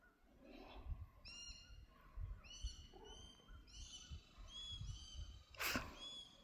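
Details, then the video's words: Sharp-shinned Hawk, one of two birds present during fall migration, flighty and identified from its call with a phone app: bursts of short, sharp, upslurred harmonic notes in several quick runs, over low thumping footsteps and one brief loud noise near the end. "is a sharpshinned hawk. We use Merlin to help verify the call cuz I don't have my camera to see any details close and it's pretty flighty."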